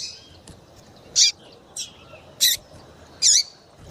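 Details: Double-collared seedeater hen calling to get males singing: a series of four to five bright, high chirps, some with dropping tails, spaced roughly half a second to a second apart, with faint extra bird notes and low hiss.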